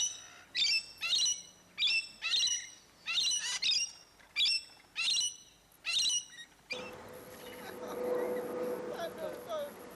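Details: Rainbow lorikeets from a flock of hundreds at Lane Cove National Park: harsh, grating screeches repeated about every 0.7 seconds for six seconds, then a low murmur of voices and rustling.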